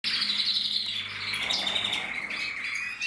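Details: Mosaic canaries from a canary breeding aviary, 2024: continuous bright warbling song with rapid trills and rolling high phrases, fast repeated notes and slides, a faint low hum underneath.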